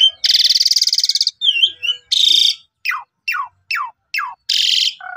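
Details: Asian pied starling lure song recorded on a phone in Subang, Indonesia, to get caged starlings singing. Long harsh rasping bursts alternate with twangy notes and five evenly spaced steep falling whistles.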